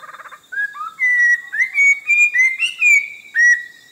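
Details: Orange-breasted laughingthrush, endemic to the Langbian Plateau in southern Vietnam: a short buzzy chatter, then a series of bright whistled notes, some rising, delivered about two per second.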